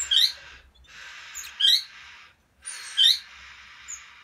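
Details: A ruby (rubino) colour Bourke's parrot gives three harsh, scratchy bursts about a second and a half apart, each with a bright upward chirp inside; recorded 25 December 2017.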